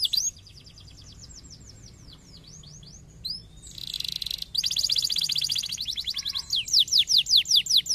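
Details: Canary song for stimulating other canaries to sing: faint sweeping notes at first, a brief buzzy burst, then a dense trill and a run of bright descending whistles.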